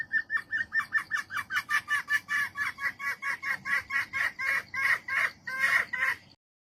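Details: Female jungle fowl calling for a mate: a rapid series of short, harsh clucking notes, about four per second, growing louder and fuller toward the end before stopping; no other clear sounds.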